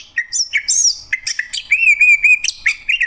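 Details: Greater green leafbird (cucak ijo) singing a rapid, varied song of sharp chirps, slurred whistles and buzzy trills, mostly high-pitched, with a sustained quavering whistle in the middle and dense, almost continuous phrases throughout.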